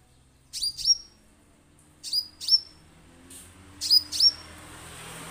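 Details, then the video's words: Orange-headed thrush, used as a lure sound to prompt birds to sing: sharp, high, slurred notes given in close pairs, each pair separated by about a second of quiet, three pairs in total over a faint low background hum. "suara untuk pancingan damer agar langsung bunyi"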